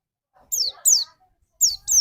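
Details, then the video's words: White-eye lure sound meant to trigger another bird's singing: four brief, very high, sharply downslurred whistles in two pairs, with faint low murmurs between them. "burung pleci pancingan"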